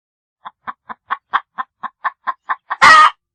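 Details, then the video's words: A dozen quick, clipped clucks about four per second, rising a little in strength and finishing in one loud, harsh squawk from a chicken. "chickens clucking sounds of chicken"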